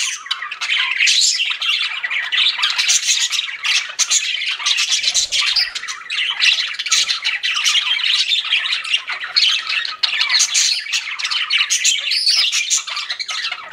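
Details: Several pet budgerigars chirping continuously, a dense stream of rapid high squawks, warbles and short chirps overlapping with no pauses, bright and scratchy throughout.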